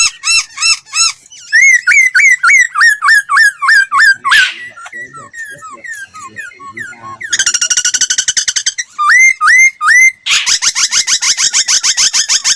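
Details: Laughingthrush song used to train voices: repeated whistled hooks, a long run of falling slurs, a fast buzzy trill, then rising whistles and dense chattering notes.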